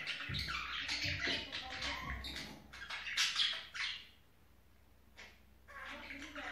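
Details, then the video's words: Budgerigars chatter during the mating season with rapid, scratchy, uneven warbling and squeaks in bursts, a brief lull, then more chattering. "Muhabbet Kusu ciftlesme Zamani"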